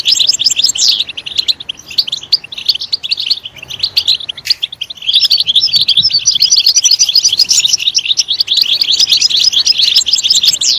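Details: Sustained goldfinch song: fast, liquid twittering. It is quieter and looser at first, then builds after a short pause into a loud, dense stream of high tinkling notes.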